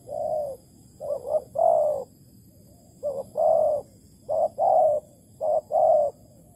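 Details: Trapping lure spotted dove from Malaysia, 11.08.2020, calling a series of hollow coo phrases, each a quick stuttered note or two then a long sustained hoot, repeated about four times.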